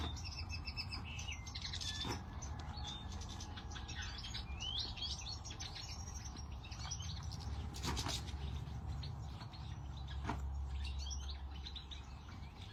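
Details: European goldfinch twittering with scattered high chirps and brief slurred notes in uneven bursts, set against strong low-pitched background noise and a few clicks.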